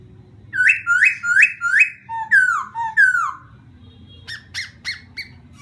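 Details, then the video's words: Laughingthrush singing to provoke another bird, with four rapid rising whistles, then loud falling slurred notes, and finally softer short repeated chirps, over a low background hum. "khướu kích bổi hiệu quả 100%"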